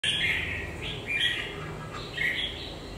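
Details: Red-whiskered bulbul whose beak base is molting, with one faint spot on the shoulder; sings short warbled, slurred phrases repeated through the clip with brief pauses, over a low background hum.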